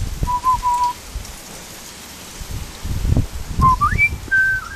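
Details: Butcherbird whistling a few level mellow notes, then a rising slurred phrase ending on a held higher tone, over pattering, rain-like background noise.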